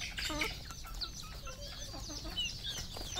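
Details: Red junglefowl on a Cambodian farm, dense clucking and high peeping calls from several birds overlapping continuously, with some short whistled slurs.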